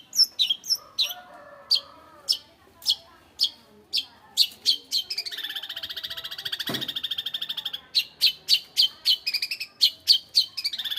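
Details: Long-tailed shrike song of sharp high chips spaced about half a second apart, breaking into a fast grating rattle in the middle, then more rapid chips, with a brief thump partway through.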